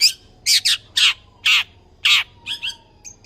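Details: Tame long-tailed shrike delivering harsh, grating squawks as part of its varied song, used to prompt and tutor other birds: five loud rasping notes about half a second apart, then softer chirps.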